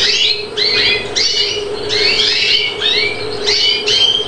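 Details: Captive-bred European greenfinch on Chios, Greece, in 2013, singing loud series of bright, harmonic chirps that slur up and down, delivered in bursts about every half second, over a steady low indoor hum.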